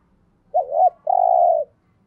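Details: Single spotted dove phrase meant to stimulate other doves: a quick dipping two-part note leading into a sustained, steady low coo lasting about half a second, with a faint background hum.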